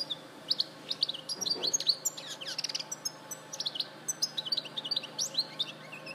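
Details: European goldfinch at Larache, 2014, delivering a long, busy stream of high twittering and tinkling notes with a short buzzy rattle in the middle; soft low hum and hiss in the background.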